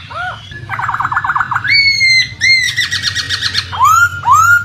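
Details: A laughingthrush delivers a loud, varied run of rapid warbled notes, then clear rising whistles, over a low steady hum, possibly flowing water.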